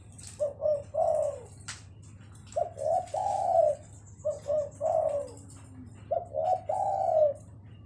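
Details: Spotted dove cooing in a duet with a lovebird: four phrases of two short low coos and a longer drawn-out note, each about two seconds apart, over a steady low hum with faint scattered high chirps.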